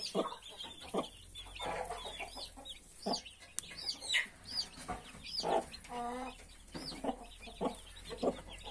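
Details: Hen with her 31 newborn chicks: low, spaced clucks mixed with a constant chorus of high, downward-curving chick peeps and one brief harmonic churr.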